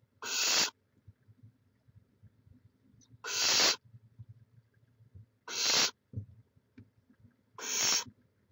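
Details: Barn owl nest in Chula Vista, California, live camera, 18 May 2017: four loud, harsh screeching hisses, each about half a second, spaced roughly every two and a half seconds over low background rumble.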